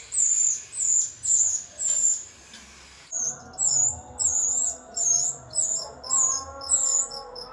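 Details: Rio-rio song used to tutor captive songbirds and lure wild rio-rio: a run of high, sweet chirped phrases repeated steadily, a brief pause near three seconds, then further shorter high notes with faint lower tones beneath.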